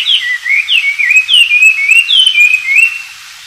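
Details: An Oriental magpie-robin sings in the wild: a fast, unbroken run of clear whistled notes, each sliding up or down in a varied, rich-toned phrase, against a quiet background.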